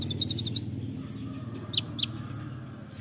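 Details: Olive-backed sunbird, local name kolibri ninja, from songbird training material: a quick trill, then high whistles and sharp descending chips spaced irregularly, with a faint low hum.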